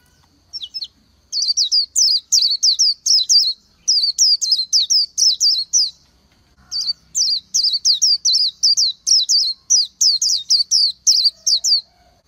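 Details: Oriental white-eye from northern and central Vietnam giving a lively twittered song in three bursts of rapid, bright, downward-slurred notes separated by short pauses, with a faint low hum in the background.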